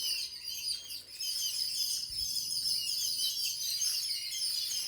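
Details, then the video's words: Bird chirping inside a home: steady, high-pitched overlapping tweets and twitters from many birds, with a faint low hum beneath. "Bird chirping sounds in my home"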